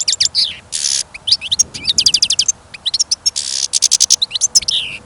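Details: Singing caged European goldfinch outdoors in winter snow and wind: an unbroken rush of high liquid twitters, fast stuttering trills and two harsh buzzy bursts, loud and close throughout.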